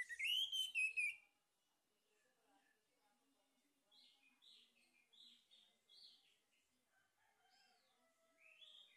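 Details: Male orange-headed thrush used as a lure to prompt singing: a loud rich twittering phrase opens, followed by quiet, evenly spaced short whistled notes and soft warbling.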